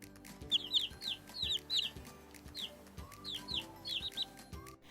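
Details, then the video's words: Small domestic chicks peep in thin, high, downslurred notes, often in quick pairs or triplets, about a dozen in five seconds, over a low steady hum. "це маленькі курчатка послухайте як вони пищать А"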